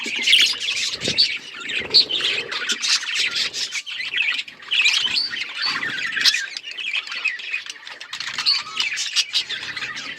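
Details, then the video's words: Busy budgie flock chatter: high, scratchy chirps and squawks layered continuously. There are occasional sharper peaks and brief low rustling or rubbing noises under the calls. "Budgies relaxing sounds Birds chirping sounds"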